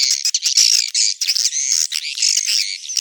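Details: Swiftlet lure call, compiled from proven calling sounds to attract swiftlets: an almost continuous shrill, buzzy twitter with wavering squeaky notes and barely any pauses.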